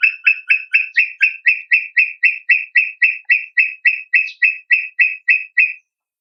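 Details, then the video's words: Brown tinamou (Crypturellus obsoletus) song as a fast, regular series of about twenty short whistled notes, each with a slightly buzzy start, holding one pitch for about six seconds, then stopping. No other sounds. "SOM DE INHAMBUGUAÇU (Crypturellus obsoletus) Brown Tinamou"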